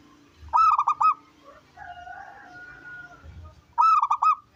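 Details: Zebra dove, local wild type with a strong voice, singing to coax other doves into song: two stuttering cooing phrases separated by a soft, thin whistled note and quiet background hum.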